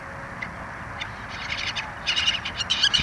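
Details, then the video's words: Black-tailed godwits at Lingezegen, 3 April 2020, giving quick repeated nasal notes that grow louder and denser toward the end, with a soft background hiss. "Grutto's Lingezegen"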